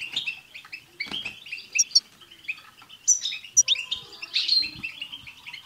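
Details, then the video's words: Chorus of European goldfinches used to encourage a caged goldfinch to sing: dense, liquid twittering with rapid chirps and a few sharp, high-pitched notes. "بتبتة حسون جماعية رهيييبة مع تستسات تجعل حسونك يغرد"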